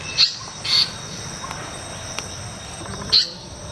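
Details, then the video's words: Asian paradise flycatcher giving three short, sharp high notes, two close together and then one after a pause, over a steady background hiss. "স্বর্গের পাখির ডাক 🕊️CallofAsianParadiseFlycatcher"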